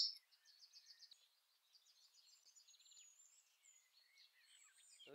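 Northern parula giving high, thin, buzzy notes that climb in pitch, amid faint chatter of other small birds.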